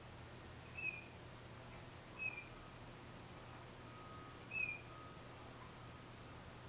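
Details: Single tufted titmouse singing solo, recorded on a Nikon D3500 camera: high thin notes each answered by a short lower whistle, repeated roughly every one to two seconds, with a faint drone and low hum.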